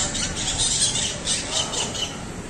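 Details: A flock of wild parrots in a palm at Parque Duarte, San Pedro de Macorís, Dominican Republic, fills the air with dense, overlapping harsh squawks and shrill screeches, a continuous chattering din with no pauses.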